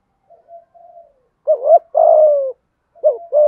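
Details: Spotted dove in the thúc gù cooing style with a deep 'thổ' voice of the 'hạp bổi' type: soft faint opening notes, then a loud two-humped coo followed by a long, slowly falling drawn-out coo, then another phrase begins.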